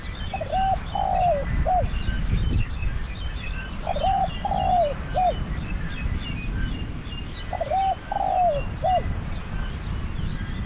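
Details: Decoy spotted dove used in dove trapping repeats its three-part coo three times, about every three and a half seconds: short double note, long falling hoarse coo, clipped ending, with faint high chirps and low rumble behind.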